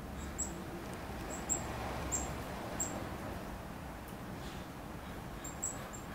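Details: A black-capped chickadee at a feeder gives thin, very high, sharp tseet notes, singly or in quick pairs, about ten over six seconds, over a steady low rumble of wind or traffic.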